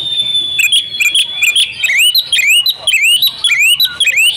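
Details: Female oriental magpie-robin, used as a lure for silent males. A long thin steady whistle with soft chips gives way to repeated upward-sliding whistles, roughly two per second, crisp and high.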